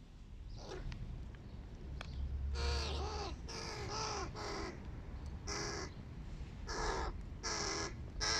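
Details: Large hooded crow chicks begging at breakfast: harsh, nasal caws with wavering harmonics, each about half a second long, given in irregular bursts, with a steady low rumble in the background.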